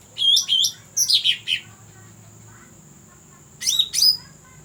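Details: Cucak rante call for luring birds: paired bright chirps, then a tumbling burst of harsh, descending notes. After a gap, another squeaky two-note phrase follows. A faint steady whine and low hum stay throughout.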